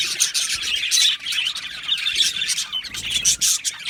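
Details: Colony of budgerigars in an aviary, many birds chirping together in a dense overlapping chatter of high, buzzy twitters and short squawks, with no gaps.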